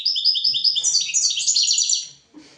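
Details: European goldfinch song used to teach goldfinches and canaries: continuous sparkling high notes, repeated evenly and then tumbling into a fast, liquid twitter lasting over two seconds before a brief fade.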